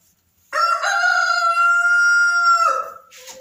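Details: A Barred Rock laying hen sits in a nesting box and gives one long, level, nasal call of about two seconds, which ends in a short drop and some rustling.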